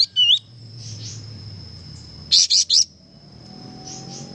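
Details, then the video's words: Kapas tembak, recorded as a training song for cage birds, singing vigorously. A brief whistled slur opens, then three loud buzzy high notes come in quick succession, with faint soft chirps between them. "suara burung kapas tembak gacor"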